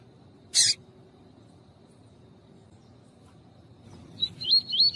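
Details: Double-collared seedeater (coleiro tuí-tuí), a male with a female calling, played to warm up a male: one harsh, rasping burst, a pause, then a short, rapid, whistled warbling phrase near the end.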